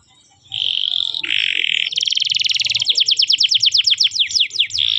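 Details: Canary song on a tutoring recording for young canaries: steady buzzy held notes, then a dense rapid trill, then a run of quick downward-swept chirps.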